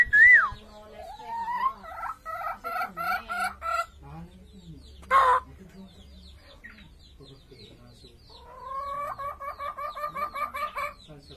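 A hill myna mimicking a chicken: a sharp whistle, then runs of nasal, rising clucks and a drawn-out crow-like note, broken by one harsh squawk.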